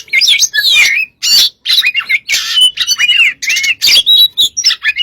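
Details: Oriental magpie-robin singing vigorously in gacor style as a lure: dense, harsh-edged phrases mixing rasping chatters with looping whistled slurs, in tight bursts separated by brief breaks.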